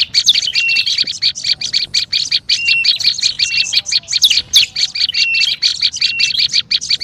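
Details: Agitated lure calling of an olive-backed tailorbird: an unbroken stream of quick, shrill chip notes with scattered flat whistles, loud and restless for seven seconds.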